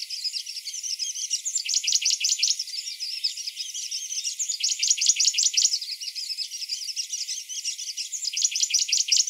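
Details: Morning song of a Grey-breasted prinia: a steady flow of high, thin, rapidly repeated notes rises into loud stuttering trill bursts about every two to three seconds, over a soft background hiss.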